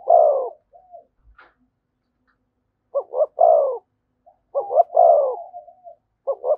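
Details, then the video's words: 'Thúc gù' cooing of a spotted dove beside a decoy bird: a strong low coo, a quiet gap of about two seconds, then bursts of short paired notes and fuller hollow coos ending in a soft trailing note. "Tiếng chim cu gáy THÚC GÙ giọng hay với sát bổi"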